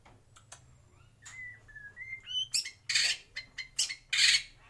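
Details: White-rumped shama singing in a breeding aviary: thin rising and falling whistles climb in pitch, then give way to loud, harsh, rasping bursts between short chips.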